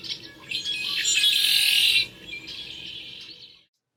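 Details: A Red-winged Blackbird in Northern California sings very close: a few short clipped notes, then a loud, harsh, buzzy trill of about a second fading into a softer rattling tail.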